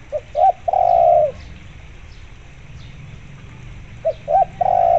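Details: Spotted dove singing as a zebra dove lure. Two low coo phrases, each made of two clipped notes and a long sustained coo, come about four seconds apart.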